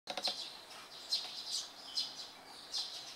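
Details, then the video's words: Eurasian tree sparrow fledglings waiting at the top of a board fence for a parent to bring food, one bullying another, early July 2015 in Japan; high chirps repeated irregularly, about once a second. "Bullying Tree Sparrow Fledgling スズメ幼鳥間のいじめ"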